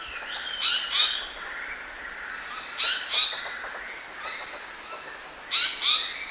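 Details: Black-naped monarch kept as a lure, repeating a bright high double-noted whistle every two to three seconds, with quieter softer notes in between and a faint hiss.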